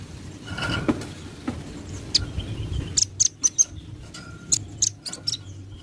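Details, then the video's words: Velvet-fronted nuthatch heard in a very active calling bout: scattered sharp, very high chip notes, single and in quick pairs, over a steady low rumble and background hiss. "burung rambatan paruh merah gacor"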